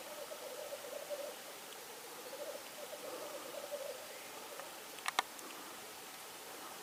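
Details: Male black grouse in Norway on 8 May 2019, giving a low, soft bubbling coo in rolling, wavering phrases for about four seconds. Two sharp snapping clicks follow near the end against a faint hiss.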